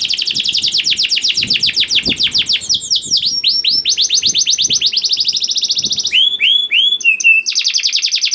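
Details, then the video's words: Young canary singing as a lure to get reluctant canaries singing: a fast run of high, sharply down-slurred notes, then metallic chips and short rolling trills, with faint low thumps underneath. "PANCINGAN KENARI PAUD TERBUKTI AMPUH MEMANCING KENARI SUSAH BUNYI IKUT GACOR"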